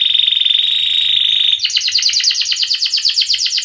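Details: Canary singing 'gacor ngerek' style as a lure to teach silent and young canaries: a pure, even trill for about one and a half seconds, then a run of rapid downslurred notes repeated several times a second.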